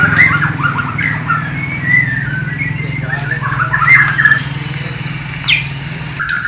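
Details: Borneo white-rumped shama from East Kalimantan, filmed nearly three years earlier on a low-resolution camera, singing a flycatcher and nightingale imitation. Short whistled slurs and chattering phrases sit over a steady low droning hum, with pauses between bursts.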